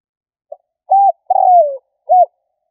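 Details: A single spotted dove luring phrase: a soft pip, a level coo, a longer coo gliding downward, then a brief arched coo, clean with no other sounds.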